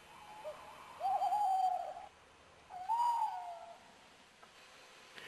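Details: Tawny owl at the Château de Lorge, Côtes d'Armor, France, about 5 a.m. in 2011, still and calm as light breaks; two hollow hoots, the first long and tremulous, the second shorter and falling.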